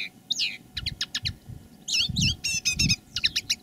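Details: Live song of a decoy common linnet: a falling slurred whistle, then grouped twittering chirps and a fast buzzy trill, with low thumping noise underneath.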